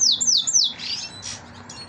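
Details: Captive canary chick, offspring of yellow canaries and left bald-headed after fighting in the nest: three loud high notes sliding downward in quick succession, then softer hissy sounds.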